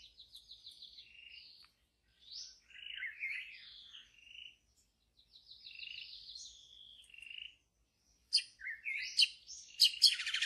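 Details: White-rumped shama, a wild bird in deep forest, singing varied phrases: fast trilled notes, buzzy rising and falling slurs and sharp high chips, delivered in bursts separated by short pauses.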